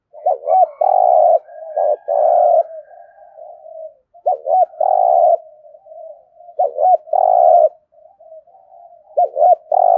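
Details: Competition cooing (gù đấu) of a spotted dove from Đồng Nai, Vietnam, thổ-style voice: repeated low phrases of a quick bent double note and a long, loud coo, with soft trailing murmurs, about every two and a half seconds.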